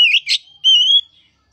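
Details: Oriental magpie-robin song, played to get a reluctant magpie-robin singing: a bright whistled slur, a harsh chip, then a long, steady, clear whistle held for almost half a second.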